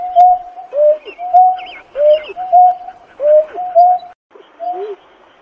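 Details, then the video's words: Painted-snipe summoning its flock with rhythmic two-part hoots, a flat tone sliding into a lower bent note, repeated about once a second before a short pause and one final call. "Tiếng kêu của chim nhát hoa- Chim Nhát Hoa gọi bầy"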